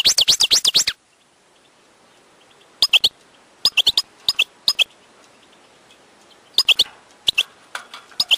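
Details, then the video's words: Wild European goldfinch opening with a quick burst of twitters, then scattered short high chirps and paired notes spaced across several seconds of near silence. "chant chardonneret sauvage/ تغريد حسون نار"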